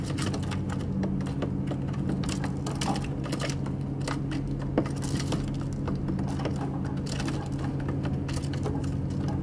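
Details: Steady low mechanical hum with dense scattered clicks and taps, like a machine running indoors; no animal voice stands out.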